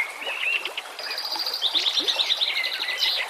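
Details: White-rumped shama song, used as a training recording for captive birds, with whistled notes near the start and a fast high buzzy trill in the middle, against a hiss of background nature sound.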